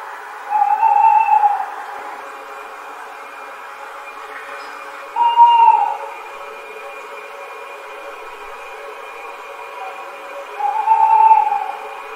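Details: Screech owl at night giving three clear, tremulous whistled calls, each about a second long and spaced roughly five seconds apart, over a steady low background hum.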